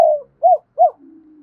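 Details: Spotted dove cooing to rouse decoy birds: the tail of a buzzy falling coo, then two short arched coos, followed by a faint low hum.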